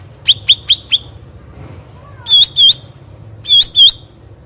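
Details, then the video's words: Cucak ranting bulbul with natural background, four quick sharp chirps followed by paired slurred whistled notes, repeated after a short pause. "cucak ranting suara alam"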